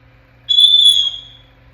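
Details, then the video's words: A 10-month-old African grey parrot in its crib gives a single high, piercing, steady whistle lasting about half a second before fading away. "AFRICAN GREY PARROT TALKING AND MAKING SOUNDS"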